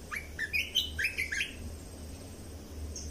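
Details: Red-whiskered bulbul song meant to train young birds and stir birds up: a quick series of about six bright, bouncing whistled notes in the first second and a half, then near silence with a low hum.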